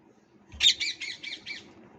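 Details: Parrot in India uttering a rapid series of five raspy squawk notes in about one second, the first loudest and the rest fading, over faint low background rumble.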